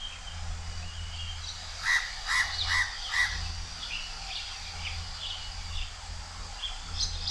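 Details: Perched high at Changi Beach Park, Singapore, a house crow calls loudly with four harsh, nasal caws spaced under half a second apart. Afterwards come thin chirps of other birds, all over a low steady rumble.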